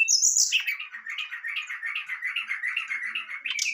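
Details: Brown-chested jungle flycatcher singing a varied fluting song, played to stir a lazy bird into singing: a high whistle, then a long run of rapid warbled notes around mid-high pitch with a final bright upslurred whistle.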